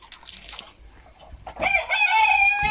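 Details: Chicken crowing on Monday, 10 October 2022, a day with eight eggs; after a second and a half of soft background sounds, a loud, rich, drawn-out crow starts and holds steady to the end.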